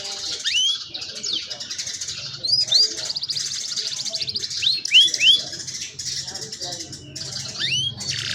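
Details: Young canaries sing to coach other canaries, captured on a cellphone: repeated upward-curving whistles mixed with rapid buzzy trills and chirps in a busy, high-pitched stretch.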